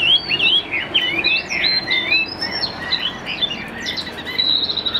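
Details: A caged Tam Hoàng hwamei, praised for even delivery and a good voice, pours out rapid tumbling whistled notes, looping up and down without pause over faint background hiss.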